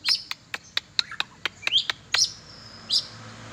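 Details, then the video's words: Oriental magpie-robin (kacer) let out for exercise gives a string of sharp clicking ticks about every quarter second, mixed with a few short high chirped whistles. "Cara mengumbar burung kacer/sport kacer"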